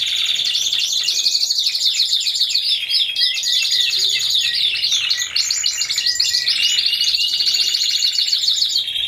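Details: Team of four Timbrado Español canaries at a song contest, November 2015, delivering a continuous dense mix of rolling metallic trills, clicks and fast chattering notes without pause.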